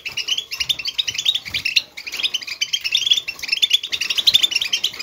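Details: European goldfinch in fast, liquid twittering song, played to stimulate other goldfinches into singing, a continuous stream of bright, tinkling high notes and buzzy trills with hardly a pause.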